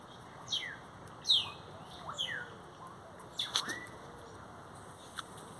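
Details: Great-tailed grackles singing near a Brugmansia tree: sharp descending whistles and squeaky slurred notes around one to two seconds apart, with clicks and brief buzzy bursts between.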